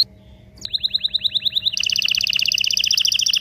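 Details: Excited canary song played to prepare male and female canaries for mating; after a brief quiet start, a run of fast descending notes gives way to a dense, buzzy rapid trill high in pitch, over a low background hum.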